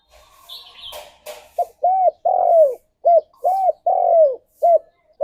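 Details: Spotted dove cooing in the morning to encourage breeding condition: after faint chirping and a few sharp clicks, two rhythmic phrases of low hollow coos follow, short notes framing one long drawn-out coo in each.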